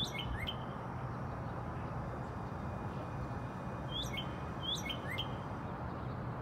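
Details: Northern Cardinal in Texas singing clear downslurred whistles in quick runs of two to four, starting high and sliding lower, over a steady low rumble of wind or distant traffic.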